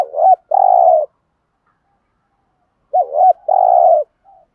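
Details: Decoy spotted dove in 'thúc gù' cooing with a 'giọng thổ' voice. It gives two phrases about three seconds apart, each a quavering double note followed by a long, level, buzzy coo.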